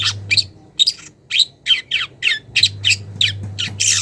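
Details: Young long-tailed shrike from the wild calling a rival, showing its first mimicry: a string of about twelve rasping, downslurred chirps at fairly even spacing, ending in a broad noisy burst, with low hum.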